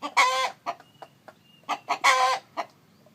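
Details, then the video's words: Chicken calls near a brooding hen: a loud, harsh, drawn-out squawk, several short clucks, then another long grating squawk and a final cluck, delivered rapidly within three seconds. "Gà trống kêu mái ấp trứng, âm thanh gà gáy"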